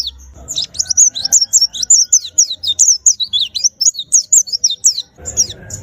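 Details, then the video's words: Cage-kept white-eye sings a steady run of high, looping whistled notes, each quick and slurred, with a faint low background noise at the start and end. "Rawatan pleci agar rajin bunyi"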